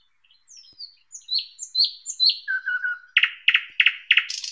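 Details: Thrush nightingale song: a sequence of bright high whistled notes, a short run of low fluty tones, then loud hard knocking strokes repeated about three per second and a hissing ending.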